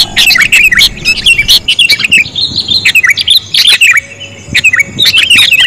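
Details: Sooty-headed bulbul lure sound, described as very sensitive: dense bursts of bright, twittering chirps and short warbled notes in rapid, overlapping runs, with brief pauses near the second and fourth seconds.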